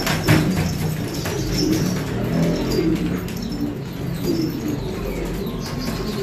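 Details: Filo pigeons make deep, rolling coos, several birds at once. Brief clicks and light rustling sound alongside.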